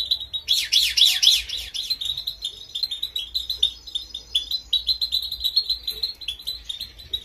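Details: Female European goldfinch training song, meant to push male fighting goldfinches to sing loudly, laid over footage of a cross goldfinch; dense, fast twittering of high buzzy notes, loudest and most tangled in the first two seconds.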